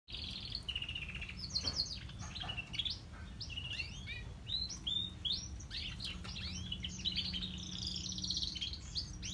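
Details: Canaries, grey and crested, singing a busy, continuous warble of quick rising and falling whistled notes and trills over a low background hum.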